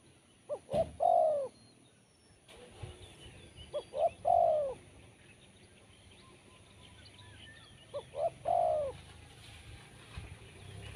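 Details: Spotted dove with a sharp, crisp voice giving three spaced coo phrases, each two quick short notes and a long falling coo, about every four seconds, over a soft background hiss with occasional clicks.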